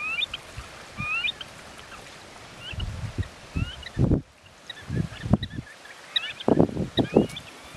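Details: Eared grebes at Benton National Wildlife Refuge near Great Falls, Montana, late May 2019: short, rising whistled notes, several birds calling over one another, against low thumping bursts of wind or water.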